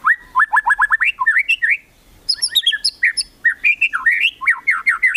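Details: Kretekan song of a white-rumped shama meant to provoke rivals into singing: a fast rolling series of fluty, looping whistles, a brief pause, then high thin chips and more rapid slurred whistled phrases.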